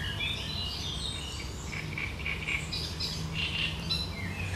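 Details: Great reed warbler song recorded 1 July 2020: sharp, chattering phrases of scratchy notes, with brief brighter squeaks mixed in, against a constant low hum.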